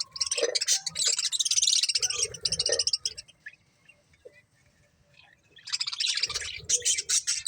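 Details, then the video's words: Budgerigar breeding pair, pets, giving rasping, chattering warbles in two bursts separated by a quiet gap with a few soft clicks. "Cute Budgies Chirping Sounds | Love Birds Breeding Pair"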